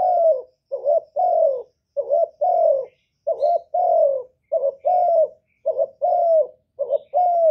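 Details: Loud spotted dove song for rousing kept doves. Regular paired coos, each a short note then a longer falling one, repeat about fifty times a minute without pause or background sound.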